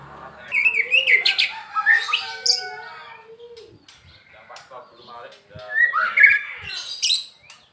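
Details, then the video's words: Kept Medan-type white-rumped shama singing varied phrases: rising whistles and chirpy notes, a drawn-out low whistle, a quiet gap, then another burst of bright, sliding notes. "MB Medan PASTOL harian RAJIN GACOR"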